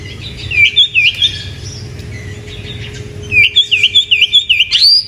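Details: Oriental magpie-robin song played to lure and stimulate other birds: bursts of clear, looping whistled notes, then a faster run of bright rising and falling whistles ending in an upward sweep, over a low steady hum.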